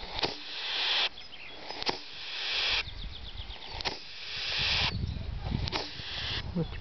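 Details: Great tit defending its nest with chicks in an artificial nest box at the Askania-Nova dendrological park gives loud, snake-like hisses, each one to two seconds long and repeated four times, with sharp clicks between.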